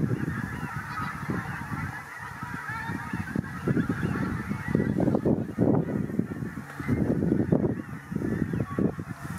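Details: Large flock of Pink-footed geese at WWT Martin Mere, 4 November 2017, disturbed by a Marsh Harrier; dense, overlapping honks almost continuously over a broad background murmur of many birds.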